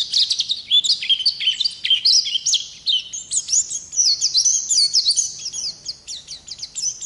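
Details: Ngalas-type Oriental white-eye singing energetic continuous 'ngerol' song for tutoring: busy, high-pitched warbling of fast slurred chirps, rolling on without real gaps.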